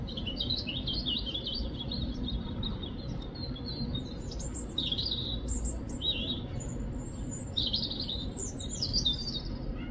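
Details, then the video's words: European robin singing in the UK: scattered high, thin warbling phrases with quick twittery notes, separated by short pauses, over a steady low rumble of background noise. "Robin bird sound | Robin bird chirping sound"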